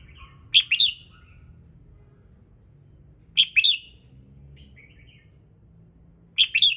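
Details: Red-whiskered bulbul singing in the morning, played to trigger other birds to sing: short bright warbled phrases of a few sweet, slurred notes, repeated about every three seconds, with a softer chirp between.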